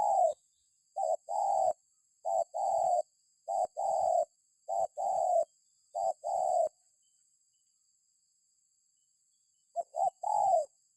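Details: Repeated spotted dove cooing meant to make other birds call: about six phrases, each a short coo then a drawn-out coo, delivered steadily, a gap of some three seconds, then calling resumes.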